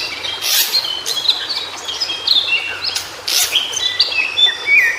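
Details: Wild White-browed shortwing in natural habitat delivering a fast tumbling run of thin high notes and brief whistled slurs, punctuated by loud crackling bursts.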